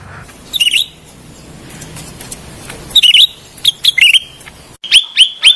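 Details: Lure and therapy sound of the cucak rante bulbul: separated bursts of quick, bright chattering chirps, the last group being three crisp, sharply repeated notes, with quiet gaps and a faint low hum between.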